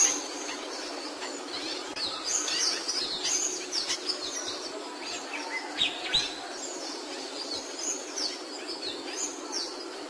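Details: Song of a capuchino seedeater. Sharp, high whistles and short twittering strokes arrive in irregular bursts over a constant low hiss.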